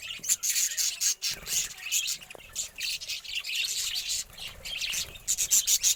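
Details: Budgerigars bathing chatter in a steady stream of high, scratchy chirps and squawks.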